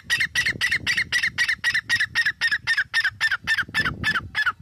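A grey francolin gives a loud, harsh, squawking series of notes, about four per second, steady and insistent, with little else heard.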